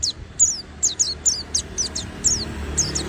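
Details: Oriental white-eye singing nonstop, a steady string of high, thin, downward-slurred chirps, roughly three per second.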